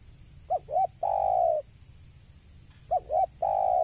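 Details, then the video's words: A spotted dove reacts to a rival with repeated cooing phrases. Two quick clipped hoots lead into a drawn-out, even coo, and the pattern begins again over faint low background hum. "Suara Tekukur Saat Melihat Lawan"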